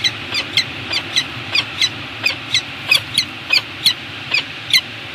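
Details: A pair of peregrine falcons on Anacapa, seen on a nest cam on 9 March 2018, trade short, harsh, high notes in a steady chatter, around fifteen calls at two or three per second, over faint hiss.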